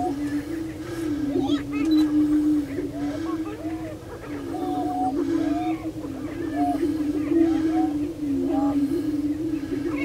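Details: On a Minnesota lek at Bluestem Prairie Preserve, Glyndon, prairie chickens keep up a deep, steady drone, while clusters of brief arched whoops and clucking cackles repeat over it at an irregular pace.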